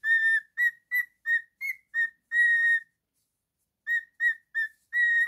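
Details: Male cockatiel kept as a pet, whistling: a quick series of clear short whistles and one long held note, then a second-long pause before four more whistles, ending on a sustained tone.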